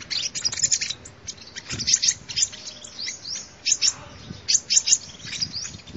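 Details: Sunbird song for luring birds: rapid, dense, very high twittering chirps mixed with short upward sweeps, running almost continuously against a light background hiss.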